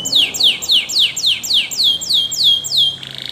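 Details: Spanish Timbrado canary song used for training other canaries: a run of about ten repeated downward-sweeping whistled notes, each roughly a quarter second long, ending in a brief buzzy trill.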